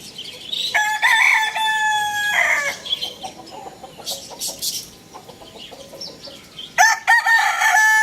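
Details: Two loud crows from a rooster: a long harmonic cock-a-doodle-doo near the start, and a second crow beginning near the end. Between them come clucks and sharp high chirps from other birds.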